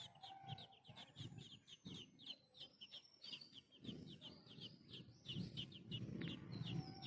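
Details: Young sparrow crying to be fed beside an adult; quick series of sharp, high, slightly downslurred chirps, irregularly spaced, over continuous low-pitched background rumble.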